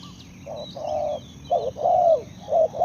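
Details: Spotted dove giving a series of low hollow coos, some drawn out and falling at the end, outdoors with steady background noise and faint high bird twitters.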